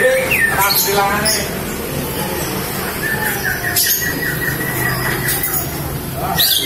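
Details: Female green leafbird giving calls meant to draw in males, a run of quick mid-pitched chirps and slurred notes, with a constant low droning hum underneath.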